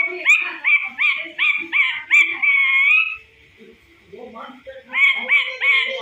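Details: A talking parrot, said to imitate a cat's meow and a dog's bark, gives a run of rapid, harsh, harmonic rising notes about three a second, a longer drawn note, a soft pause, then more clipped repeated notes.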